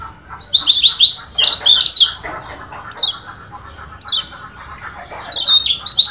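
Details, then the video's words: A Lombok yellow white-eye sings a varied song of rapid, high, thin chirps and twittering phrases in quick bursts with short pauses and a faint hum; the recording is used as a tutor and lure for this white-eye. "Kecial Kuning VARIASI"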